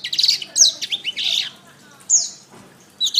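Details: Canary masteran song: a few quick high chirps and rasping buzzy notes in the first second and a half, a pause, then brief bright whistled slurs.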